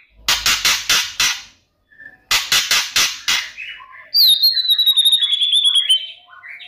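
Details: White-rumped shama provoking song aimed at rival shamas: two series of harsh, scratchy rasping notes about four per second, then a thin high whistle held and slowly falling.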